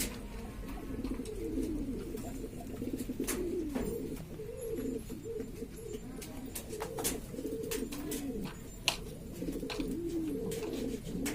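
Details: Flock of domestic pigeons from East Lombok, Indonesia, of various breeds favoured by hobbyists: continuous low murmuring coos overlapping, with scattered clicks and knocks.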